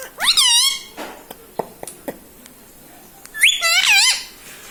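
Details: Pet parrot indoors, said to talk words such as mummy, papa, mithu and radhe radhe; two bursts of high, bending, harmonic-rich squawky speech sounds separated by a quiet stretch with faint clicks.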